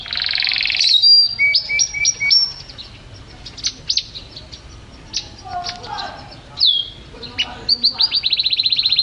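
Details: Gacor champion canary pours out varied song: a buzzy opening, level whistled notes, dense chattering phrases, then a rapid even trill closing the passage.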